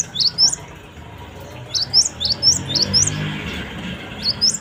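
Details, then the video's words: Cinereous tit song used as a lure to draw replies from other birds: thin, high chirps in short bursts, each note rising then dropping, repeated roughly twice a second against a soft, low rumble. "Pancingan Gelatik Batu"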